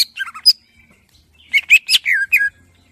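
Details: Greater green leafbird song, part of a collection of varied tutoring material for training cage birds: sharp clear whistles and short falling notes in two separate bursts, with a quiet gap between them.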